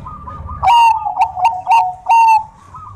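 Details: Bangkok-type zebra dove (perkutut) singing energetically: a low mellow coo, then three bright burry bursts with sharp clicky overtones, each about a third of a second long, over faint low rumbling background noise.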